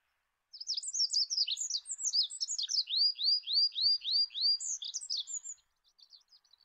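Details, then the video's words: Olive-backed pipit song on a master recording for training cage birds: very high, quick jumbled chirps leading into six evenly spaced downslurred whistles, then more twittering that fades into faint notes. "SUARA BURUNG APUNG ZAITUN MASTERAN"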